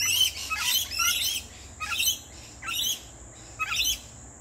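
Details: A pair of lorikeets visiting a backyard while a barbecue lunch is cooked: harsh, scratchy screeching notes, a longer burst first and then short grating squawks spaced roughly every second.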